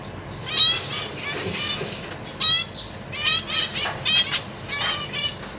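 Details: Caged zebra finches, parents busy feeding three juveniles and three newly fledged young, 14 April 2023. Dense run of short nasal, harmonic-rich call notes, some chattering in clusters, with faint background voices.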